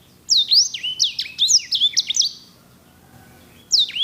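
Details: Edel/herda sanger kept for canary tutoring, pouring out a fast string of sharp, high, downslurred notes for about two seconds, then silence and the start of another phrase.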